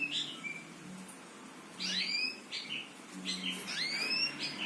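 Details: Birds chirping: faint, sparse calls with rising upswept notes in pairs, separated by quiet gaps, over a low steady hum.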